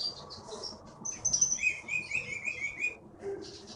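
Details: Wild-caught Bangka forest bird, a prize-winning contest singer in Bangka Belitung, gives faint high chirped and whistled phrases, including a run of short repeated notes, over low background murmur.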